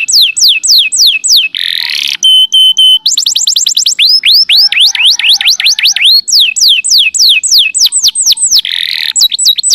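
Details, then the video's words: Training recording of a canary singing for other birds to learn from, with quick repeated downslurred notes, a steady whistled tone with pulses, a buzzy burst and tumbling trills of curved notes. "Masteran Mp3 Burung Kenari"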